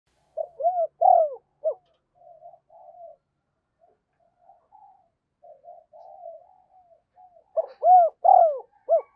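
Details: Decoy spotted dove cooing to lure wild doves: loud paired, arched coos at the start and again near the end, with softer low murmuring coos in between.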